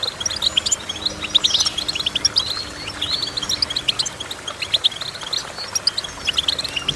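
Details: Goldfinch in full song, fast chattering twitters mixed with a few upward-swept whistled notes, phrases following one another almost without break, light hiss behind.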